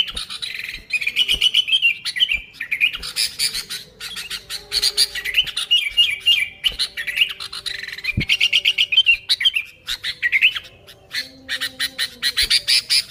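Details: Lively natural song of the Sooty-headed bulbul for luring bulbuls: bursts of warbled whistles alternate with harsh, scratchy chattering, with scattered knocks and a faint low hum behind.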